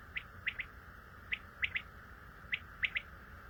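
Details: Common quail giving its typical rhythmic call: short sharp high notes in groups of two to three, phrases repeated about every second and a quarter, against faint steady background noise.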